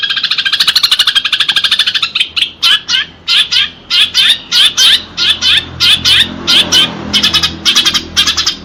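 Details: House sparrows in a fight, recorded for training pet birds; a quick run of shrill chirps, then loud harsh chirps in an uneven series of about two per second.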